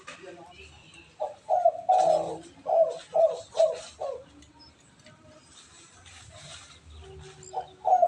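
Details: Spotted dove in the "kuk 4" coo style, played to train other doves: after a quiet start, a series of low, throaty coo notes rolls out in quick succession, then fades to near silence before two more notes.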